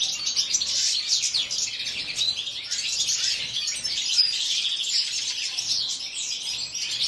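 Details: European goldfinches kept in an aviary, a dense, continuous twittering of high, rapid chirps and tinkling notes from several birds overlapping without pause.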